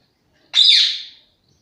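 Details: Pet parrot kept at home giving one harsh, loud screech of under a second, starting high and sliding down with a broad, raspy tone, then silence.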